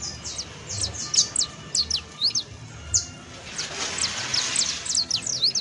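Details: Canario criollo, or saffron finch, singing: crisp, sharp downward chips, some in doubled pairs, in a lively stop-start pattern, with a brief hissing noise midway and a faint low hum.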